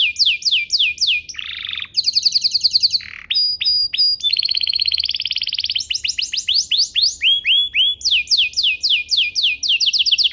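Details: Canary song intended to stimulate other canaries into singing: a long varied sequence of fast trills, buzzy rolls, sweeping slurs and clear whistles, switching tours every second or two.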